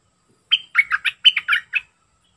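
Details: Short, clean song burst of a wild sooty-headed bulbul: a brief high whistle followed by about seven quick, gurgling notes falling and bouncing in pitch, in quiet surroundings.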